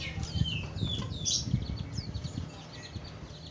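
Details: Sooty-headed bulbul gives quick, bright whistled notes slurring downward, several per second, over a steady low rumble; used as a lure for wild bulbuls.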